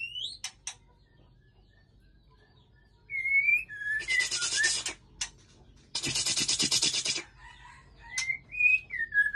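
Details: White-rumped shama, a male from Aceh with a female, at Ujong Pancu: short clear whistled notes near the start and end, with long loud harsh rasping bursts filling the middle section.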